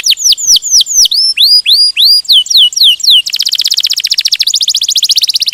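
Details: Canary singing gacor with rolling passages: loud looping down-slurred whistles about four a second, then a sudden switch to a rapid, dense, buzzy high trill.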